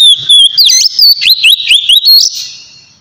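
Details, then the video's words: Oriental magpie-robin singing a relaxed 'ngeplong' song meant to lure untrained birds: loud, rapid whistled phrases rising and falling, with sharp upward sweeps and quick trills. The song fades out at the end. "suara kacer ngeplong santai sangat cocok buat mancing kacer bahan"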